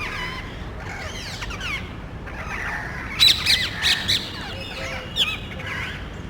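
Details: Parrots in a small neighbourhood group searching for a nest site among cable boxes, calling loudly; scattered faint chatter, then a burst of sharp harsh squawks in the middle, with background hiss.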